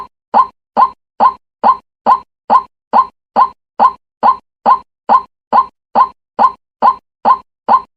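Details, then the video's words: A white-breasted waterhen lure call used for trapping: a short, hollow croaking note repeated at a steady, even pace, a little over twice a second, each note the same, with nothing else heard. "the sound of catching the asian croaking bird"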